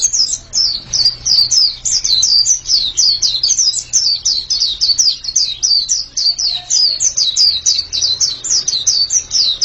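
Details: Energetic pleci song: a white-eye repeats quick, high, down-slurred chirps almost without pause for nearly ten seconds, over a quiet low hum.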